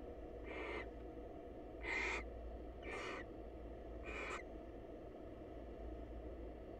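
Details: Wild female barn owl visiting a male at a monitored nest box to say hello; four harsh, hissing screeches, each under half a second, spaced about a second apart over a steady low hum.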